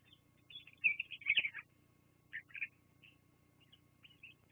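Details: Bald eagle at the nest at Fraser Point, recorded by a live nature cam on 24 September 2022: a quick burst of high, squeaky chirps, then a few thinner, scattered piping notes over a faint low hum.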